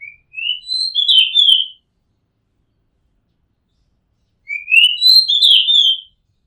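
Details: Rooftop recording of an Oriental magpie-robin singing two longer phrases, each climbing through several quick whistled notes into a dense warbling burst, about three seconds apart, with no other sounds.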